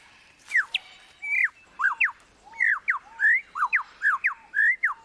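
A lyrebird pours out a rapid run of loud, varied whistles, each a sharp rising or falling sweep, several per second with brief pauses. Little else is heard.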